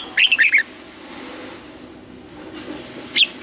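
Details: A mature wild red-whiskered bulbul is made to sing double notes in the morning. One quick phrase of four bright, wavering chirps is followed after a pause by a single sharp note.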